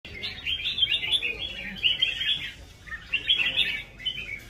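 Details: Red-whiskered bulbul singing in a competition-style performance: rapid bursts of bright, chattering warbled phrases, two main bouts separated by a brief pause, with faint background murmur.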